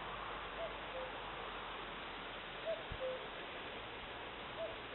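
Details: Cuckoo calling at Eksta, Gotland: three faint two-note calls, each a higher note falling to a lower one, spaced about two seconds apart over constant hissing background noise.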